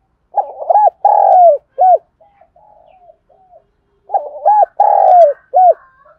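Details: Morning calling of a spotted dove, likely a decoy bird: two loud cooing phrases, each a burst of short throaty notes, a long falling coo and a clipped closing note, with a softer, fainter coo series between them.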